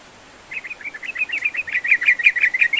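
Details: Sooty-headed bulbul pouring out song meant to provoke a silent bird into singing: quiet start, then a fast, rising stream of bubbly chuckling notes growing steadily louder.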